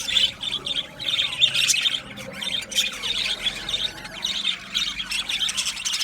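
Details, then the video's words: Budgies in a colony aviary keep up continuous twittering, rapid high chirps in short runs with repeated squawky notes layered over one another. "Budgies chirping sounds"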